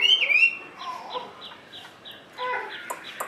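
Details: Chinese hwamei kept in a cage, giving a loud rising whistle, then a string of soft evenly spaced high notes and a brief chattering burst near the end.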